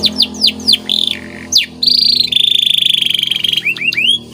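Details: White canary training song with falling chirps, a warbled dip, then a long buzzy rolling trill, closing with several upswept whistles.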